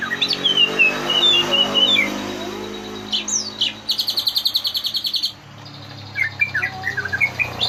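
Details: Green leafbird singing as a lure to bring out filler song: whistled slurred phrases over steady background hiss, then a rapid buzzing trill and scattered high chirps.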